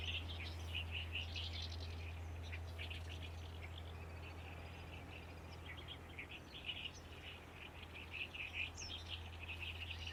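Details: Great reed warbler singing in May in a reed colony on the shores of Lake Biwa, where many call here and there, loud and powerful; a steady stream of harsh, chattering, rapidly repeated notes over a constant low hum.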